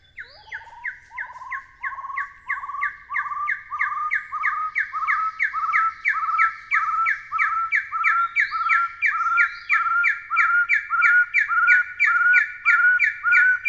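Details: Long, rapid series from a Taiwan hill partridge, around twenty-five evenly spaced whistled couplets, a higher clipped note over a lower sustained one, gradually rising slightly in pitch and growing louder; faint low rumble beneath.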